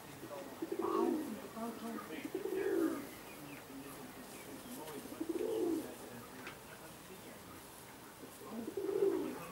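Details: Indian Fantail pigeons, fancy domestic breed, in Alkmaar, Holland; quieter low bubbling coos in four separated bursts against a hissy room background with faint clicks.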